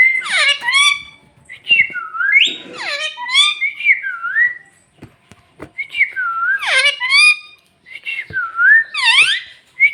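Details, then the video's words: Talking parrot with Bhojpuri speech, delivering dense raspy harmonic calls tangled with swooping whistles, in busy bursts that keep going with few silent gaps. "Bhojpuri talking parrot"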